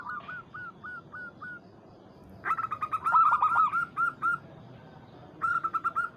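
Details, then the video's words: Local zebra dove calling to a rival, used as a lure to excite other birds. An evenly spaced run of soft hooked coos leads into a loud, fast cascade of bright stuttering notes, then another quick phrase begins. "PERKUTUT Lokal MEMANGGIL LAWAN"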